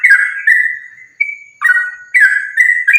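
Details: Sooty-headed bulbul, a lively bird in fighting song used as a lure for other bulbuls: a slurred whistled phrase, a long level whistle, a drawn rising note, then fresh bursts of bubbly whistling.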